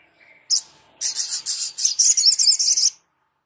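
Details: 'Gacor' Sogon song for tutoring other birds: a soft note, a sharp high chip, then a steady, loud burst of about a dozen quick, buzzy, wavering notes lasting two seconds.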